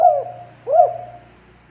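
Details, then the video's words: Two soft looping coos from a spotted dove, played as a lure to trap birds, each note rising and falling, with a faint low hum underneath. "Suara Panggilan Burung Terkukur Derkuku Untuk Pikatan"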